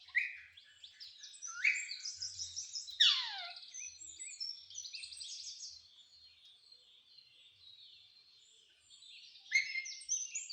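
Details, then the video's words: Green parrot chattering in speech-like fragments: sharp rising and falling squeaks, a loud swooping call near the middle, long softer high babble, then renewed quick chirps at the end. "green parrot🦜 talking🗣"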